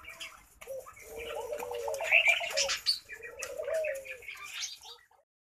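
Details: Laughing dove, or Senegal dove, cooing: two low, rolling, bubbly phrases, each lasting one to two seconds and slightly rising then falling, with a short pause between. Lighter chirps of other birds sound above them.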